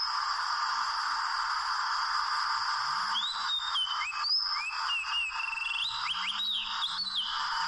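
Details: Oriental magpie-robin in the wild, near a rope trap: after three seconds of steady background hiss, a run of whistled slurs and short rising notes begins and continues to the end.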